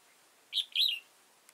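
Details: During trapping on 15 October 2018, an old wild red-whiskered bulbul with tall crest and dark bib utters a single lively phrase of a clipped chirp and a tumbling, falling warble, with a faint tick afterwards.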